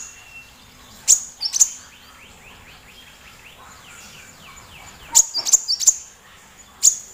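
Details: Small, loud sunbird (kolibri) whose voice serves as a master recording to draw song from other birds like the magpie-robin. Brief, very high, clicking chirps come in scattered groups over a steady hiss of background noise.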